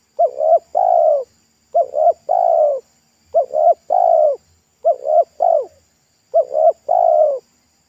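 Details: Local wild spotted dove with a pesom-style voice, described as thick and loud, singing beside a road during a lure-trapping attempt. Two short rising coos and a longer falling coo make a phrase, repeated five times about every 1.5 seconds.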